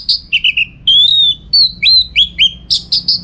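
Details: Orange-headed thrush, caged, from northern Bali, singing as a training model for contest birds: clear whistled notes, some long and steady, others dropping, then a run of short bright chirps.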